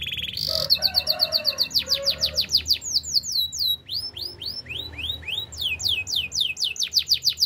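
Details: Canary song with a brief harsh burst, then a long series of clear descending whistled sweeps repeated about three times a second.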